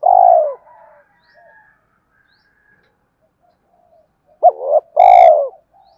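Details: A spotted dove's fighting coo, used to trigger cooing in fresh wild-caught doves: one long purring coo, a few quiet seconds, then two quick clipped notes and another long rolling coo.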